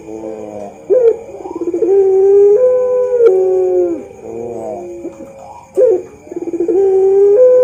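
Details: Pelung-style ring-necked dove, a champion model bird, delivers repeated coo phrases: a sharp opening note, then long level tones stepping upward and fading down, with rough rolling notes between the phrases.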